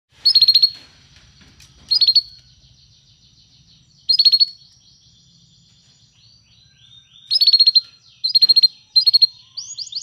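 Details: Canary song played to train a canary to sing: short bursts of rapid high trills, each under a second, recurring every one to three seconds with quiet gaps between them.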